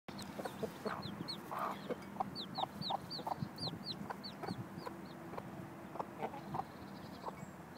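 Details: Mother hen teaching her chicks how to look for food. Many high, downslurred chick peeps repeat rapidly throughout, with short low clucks from the hen scattered among them and steady background hum and rustling.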